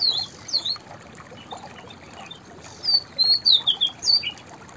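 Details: White-browed fantail song: two short bursts of clear, high whistled notes, rising and falling in quick slurred phrases, the second burst a run of about six notes; faint background hiss.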